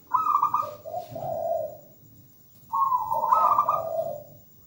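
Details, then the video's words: Zebra dove singing energetically: two phrases, each a burst of quick, slightly rising staccato coos followed by a longer, lower vibrating purr, with a quiet gap between them and low background hum. "PERKUTUT GACOR MERDU MEWAH"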